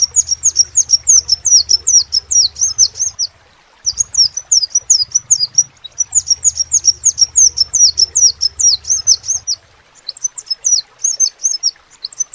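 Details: Crimson sunbird singing energetically in repeated bursts of high-pitched, thin downslurred notes, several brief pauses between phrases, and a faint low hum in the background.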